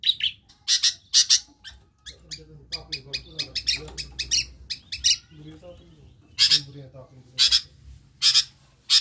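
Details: Long-tailed shrike singing a mimicked medley of other birds' sounds, used as a lure for birds that have stopped singing: loud harsh rasping bursts in quick pairs, with softer chattering notes between and a faint low hum beneath.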